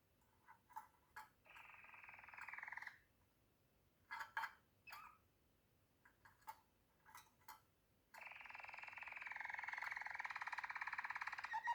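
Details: Waterslager canary delivering deep, bubbling rolled tours in separate bursts, short clicky notes between them, then a long sustained rolling trill at the end, in a quiet room.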